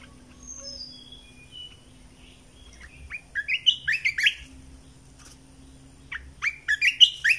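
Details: Red-eyed bulbul song used as a 2020 decoy to attract birds: a few thin high whistles, then two bouts of jaunty, slurred chirps rising and dropping in quick clusters, over a soft low hum.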